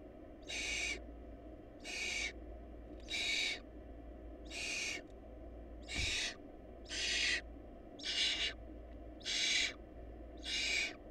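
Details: Nine broadband, noisy hissing screeches from barn owl nestlings short of food, repeated about every second in a fairly steady rhythm over a faint low hum.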